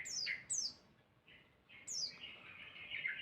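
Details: Songbird giving a loud masteran song meant to draw answering calls from other birds: sharp descending whistled notes sweeping downward, then a sustained buzzy, chattering trill.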